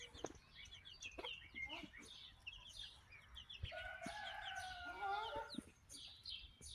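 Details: Barnyard chickens hatched in late May, recorded in June: busy high chirping and peeps from several birds, a longer trilling note midway, with low clucks and faint background voices.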